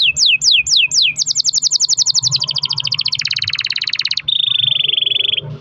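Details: Canary song used as a lure for other canaries: four quick falling whistles, then a fast rattling trill that shifts pitch in steps and ends in a long smooth buzzy roll, with low background hum.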